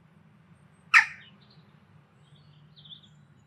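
A western jackdaw gives a single sharp, harsh "tchack". Two faint high notes follow, over a steady low hum.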